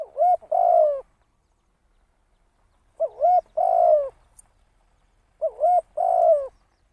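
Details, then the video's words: Spotted dove kept as a trapping decoy delivers three evenly spaced phrases, each a quick double upturned note followed by a long, gently falling coo, in quiet surroundings. "เสียง นกต่อ นกเขาใหญ่"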